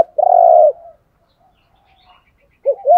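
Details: Spotted dove decoy call, male and female voices used to stimulate captive birds in training: one long, steady mid-pitched coo, then a pause and the start of another short rising coo.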